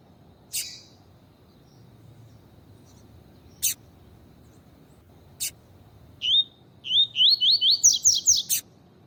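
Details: Double-collared seedeater in tuí-tuí song style, with a female calling to excite a male: several isolated sharp clicks, then a rapid run of rising, slurred whistled notes that grow higher and faster toward the end.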